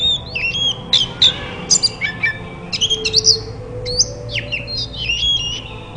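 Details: White-rumped shama therapy song to make other shamas call back; varied whistles and sharp clicking chips in quick bursts, with faint low background hum.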